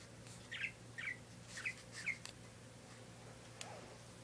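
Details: A pet parakeet chirps four times at roughly half-second intervals. Each call is a short, bright, slightly buzzy note. A faint click and steady low hum follow.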